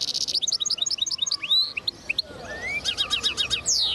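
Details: A linnet mule (linnet hybrid) recorded in 2010 twitters quickly, mixing high chirps, buzzy trills and rising and falling whistled slurs in a busy, unbroken run.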